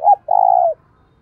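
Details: Spotted dove used as a decoy to provoke fighting: a short hoarse note, a brief gap, then one long, level, low coo that tails off downward.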